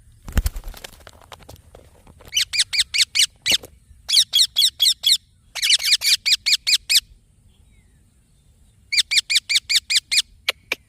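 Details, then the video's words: Runs of harsh, buzzy chirps from a green baby parrot, five to eight at a time in fast series separated by short pauses, opening with a few clicking noises. "Green Baby Parrot Chirping Sounds"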